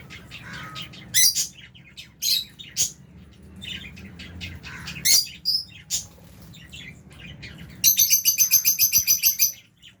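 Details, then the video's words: A colony of lovebirds, albino and Fisher's, feeding together in an aviary alongside budgie parrots: bright, high chirps in irregular clusters, ending in a fast run of about a dozen evenly repeated chirps. "Lovebirds Chirping Sounds"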